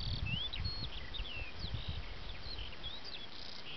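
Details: Eurasian skylark singing in its habitat: a continuous high warbling stream of quick slurred and chirping notes, heard over strong low rumbling wind noise.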